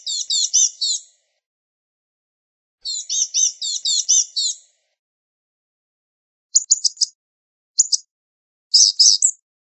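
Blue-gray Gnatcatcher giving high, thin, scratchy warbled phrases about a second long, then short squeaky bursts; nothing else heard.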